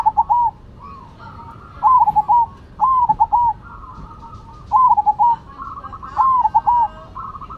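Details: Cemani and Silver zebra doves, both in full voice, trade rolling coo phrases: five bouts of stuttered, bubbling notes at a steady mid pitch, each bout about half a second, spaced a second or more apart, with a faint higher hum between.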